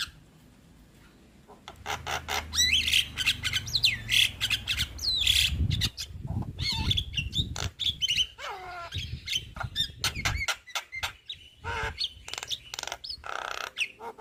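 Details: Young Javan myna in lively song: a dense, varied jumble of squawks, clicks, slurred whistles and harsh chatters, delivered in fast bursts over a low rumbling background.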